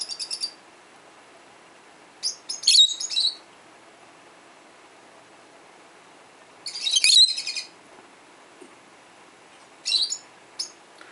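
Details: Peach-faced lovebirds calling to other lovebirds, heard around a 12-year-old pet bird: spaced bursts of shrill, piercing chirps and screeches, about four clusters separated by several seconds of quiet, the loudest bursts rapid and scratchy.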